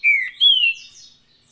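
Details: Green-winged saltator, Paraná song style: two strong whistled notes, the first falling and the second rising then gliding down, followed by a soft fading warble.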